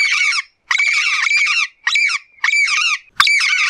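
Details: Papagaio-galego (yellow-faced parrot) calling in the wild: choppy raspy squawks in five uneven bursts, some longer and blurred together, and a sharp click near the end.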